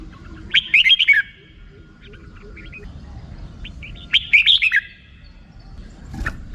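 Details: Red-whiskered bulbul repeating a short, bubbly phrase of quick slurred whistles twice, several seconds apart, with faint scattered notes and low background rumble between.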